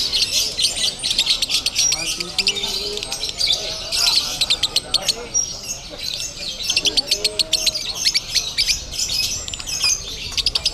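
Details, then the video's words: Lovebird delivering konslet-style song at a bird-singing contest venue in Bandung, Indonesia: rapid, high, buzzy chattering pulses pour out almost nonstop, with short louder bursts and murmuring human voices underneath. "LOVEBIRD KONSLET CRAZY"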